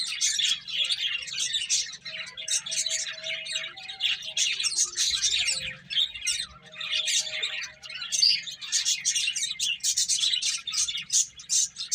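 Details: Finches eating and playing fill the air with continuous high twittering and chirps, many birds overlapping, with faint soft tones and light knocks underneath.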